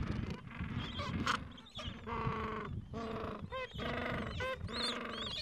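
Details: Busy gentoo penguin colony edge in the Falkland Islands, mild afternoon, adults tending nests and two-to-three-week-old chicks; drawn-out harmonic braying notes in bursts with short gaps, plus sharp upswept chirps and general colony noise.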